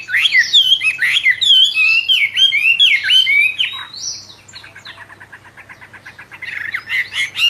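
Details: Albino Chinese hwamei, bred in captivity, delivers loud, rich, varied whistled phrases that rise and fall. They are followed by a quieter, rapid stuttering trill and a final burst of bright notes.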